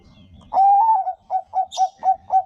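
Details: Zebra dove of the Bangkok type singing, used as a lure to set other doves singing often: one long steady mid-pitched coo, then five short, soft, rounded coos about a quarter second apart. A low rumble comes before it and a faint high chirp overlaps.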